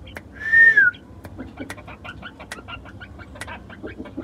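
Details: A caged quail kept at home alongside a rooster gives one clear whistled note, held level and dipping at the end, followed by scattered clicks, rustling and faint voices.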